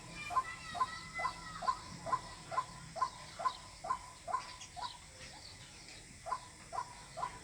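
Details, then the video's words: Repeated calling of a white-breasted waterhen, a call used as a lure in bird hunting: even, clipped mid-pitched notes roughly twice a second, briefly pausing near the end, over soft background hiss. "Jal murgi Ki Awaz water hin || ডাউক পাখির ডাক। Waterhen Bird Call। পাখির ডাক দিয়ে পাখি শিকার।"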